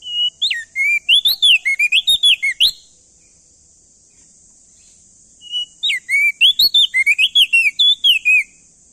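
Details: Loudly singing male crested white-eye (prenjak daun), Nusa Tenggara, used to coax other birds into song; two rapid bursts of swooping whistled notes separated by a three-second silence, over a constant high-pitched hiss.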